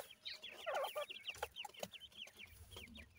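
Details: Grey francolin chicks (gora teetar male, dakhni teetar female) give a short flurry of thin descending peeps from several birds at once, with faint background rumble.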